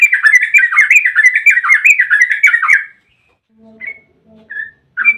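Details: Yellow-vented bulbul ropel panjang, a long fast trill used as a lure to get bulbuls singing. Three seconds of rapid, warbling, rolling notes pour out without a break, then only a few faint notes follow.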